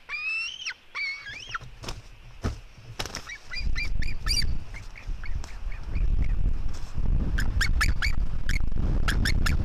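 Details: Female white-tailed eagle eaglet fighting with her brother: sharp squealing notes that rise and fall, then bursts of short, quick squeaks, increasingly buried under heavy low rumbling wind or handling noise.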